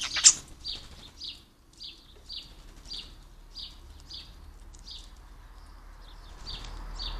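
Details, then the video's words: European starling imitating other birds: a loud opening crack, then a steady run of about a dozen short, high chirps repeated roughly every half second against a quiet background. "starlings can imitate the call and song of other birds"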